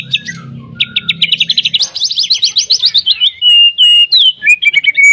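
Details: Song of a white-rumped shama, played to make other shamas sing, opens with quick chattering notes over a low hum, then a fast descending trill and clear drawn-out whistles.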